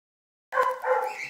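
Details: Rosy-faced lovebird chick, about 25 days old, being hand-fed: after half a second of silence, a single harsh, raspy, buzzy call holds steady for nearly a second, dipping briefly midway, then continues.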